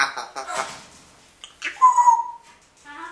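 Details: Pet grey parrots in a morning exchange between the pair; speech-like chatter followed by a clear, slightly falling whistle, then more mumbled talking.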